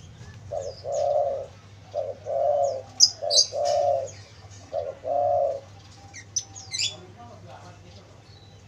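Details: Cooing of a spotted dove used to lure wild doves, three mellow low phrases, each a short note then a longer rolling coo, about every one and a half seconds, while small birds chirp and twitter at high pitch.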